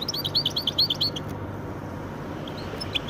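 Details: A bird hybrid of goldfinch and canary gives a short burst of quick, high chirping notes lasting about a second, followed by near silence with a few scattered faint notes.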